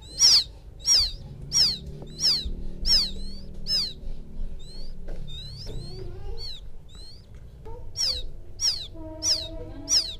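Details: Quail chick calling to its mother, as used for luring birds: sharp high descending peeps at a regular pace, fading into softer scattered notes and low murmuring sounds mid-way before the loud peeps return.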